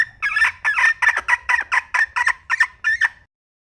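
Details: Red junglefowl hen giving a fast run of about a dozen short, nasal clucks, roughly two to three per second, trailing off at the end, over a faint low background hum.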